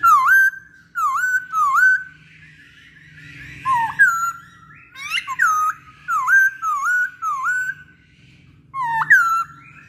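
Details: Lure song (pancingan) of the masked laughingthrush, or poksay Hongkong: a lively series of short, hooked, whistled notes repeated in quick bursts, with a soft warbled passage in the middle.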